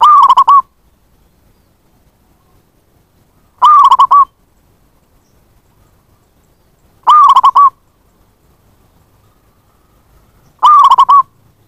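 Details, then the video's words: Wild zebra dove attraction call: four identical short rolling coo phrases of quick pulsed notes, repeated roughly every three and a half seconds, with silence between them. "Pancingan bunyi + pemanggil perkutut liar"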